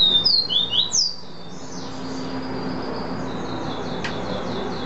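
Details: Seedeater known locally as caboclinho, singing the style called vi vi ti: a few loud, clear, high whistled notes, some rising and some falling, in a quick burst, then fading faint echoes over steady background hiss.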